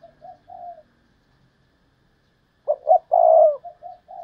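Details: Spotted dove decoy bird with soft low notes, a pause, then a loud Thúc Lợi Cốt call of two short notes and a long coo. Softer trailing notes follow.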